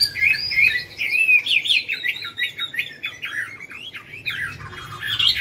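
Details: Chinese hwamei in a cage at a My Dinh singing contest, Vietnam, 19 July 2020, where it took first prize; loud, varied whistled notes tumble quickly in slurred up-and-down phrases, some buzzy, with little else audible.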